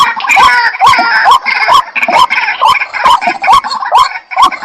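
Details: White-breasted waterhen (jal murgi) giving loud, steady repeated calls, each a short hooked note rising and bending at mid pitch, about two per second, with rough harsher overtones above.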